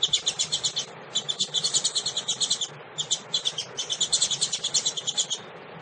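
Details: Female double-collared seedeater calling to stimulate males: long, rapid chattering runs of high, thin twittering notes with brief pauses between bursts, nearly continuous, over a low steady hum.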